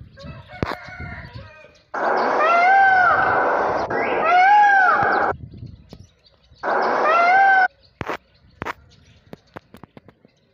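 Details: Green peafowl (Java peacock) calling three times: loud, harsh, trumpeting wails of about one to one and a half seconds each, rising then falling, separated by pauses, followed by a few sharp clicks and knocks.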